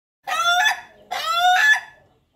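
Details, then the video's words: Ayam Ketawa chicken crowing, described as melodious: two loud harmonic phrases about a second apart, each a steady tone that rises in pitch and stress near its end before fading, in a quiet setting. "suara merdu ayam betkokok ayam ketawa"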